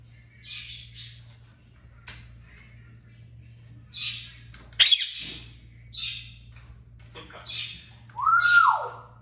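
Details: Indoor pet African grey parrot, a talker that calls out its own name, gives a string of short raspy clicks and squawks, one sharp loud burst midway, ending in a clear voiced note that rises then falls away.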